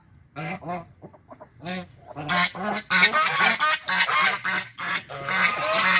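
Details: Angry white domestic geese protecting their territory, giving a rapid series of loud, nasal, harmonic honks, several per second, with brief pauses early on and then near-continuous overlapping honking from more than one bird.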